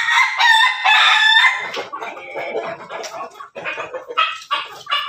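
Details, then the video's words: Crossbred backyard chickens with Pelung, Bangkok and Ketawa ancestry crowing; a bright harmonic crow in the first two seconds, followed by rapid, chopped syllables and overlapping clucks from other birds. "ternak ayam di halaman belakang hasil persilangan pelung bangkok ketawa berkokok"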